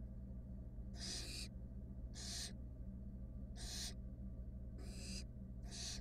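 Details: Barn owls, three wild nestlings with their mother in a monitored nest box in Israel, give five harsh, breathy hisses. Each lasts under half a second and comes every second or so, over a steady low electrical hum.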